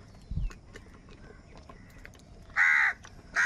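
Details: Two loud, raspy caws close together near the end, one about a third of a second long and the other clipped short, from crows fighting over food. Before them, quiet background hum and faint distant bird calls.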